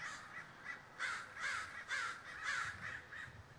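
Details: Crows gathering in a large flock at Davis, California: many overlapping harsh caws, about two per second, with a steady wash of distant calling behind.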